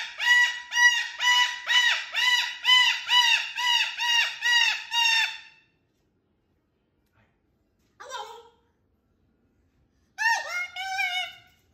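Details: Pet cockatoo calling loudly and happily: a fast run of about ten harsh, harmonic-rich squawks in even rhythm, then silence, a short single cry and a final burst of two or three rising screeches.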